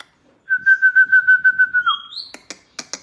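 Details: White-rumped shama, used to coax other shamas into singing, delivers a steady pulsing trill that drops away, then a thin rising whistle and several crisp clicking notes.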